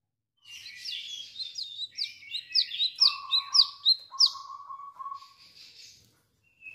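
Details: Chestnut-capped laughingthrush singing in a lively 'wiceh wiceh' style: rapid series of bright, downslurred high whistled notes, about eight in quick succession, over steady lower flat whistles, ending with a short thin buzzy phrase.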